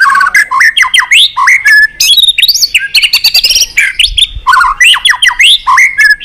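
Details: Excited white-rumped shama delivering many-voiced song, loud fast sequence of sharp whistles, steep upward and downward slurs and scratchy trills packed closely together, with brief pauses.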